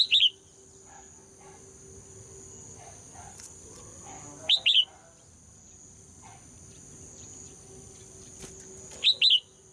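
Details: Female red-whiskered bulbul song used to prompt males to sing. Three short double-note whistled phrases are heard, roughly every four to five seconds, separated by near silence and a faint steady high tone.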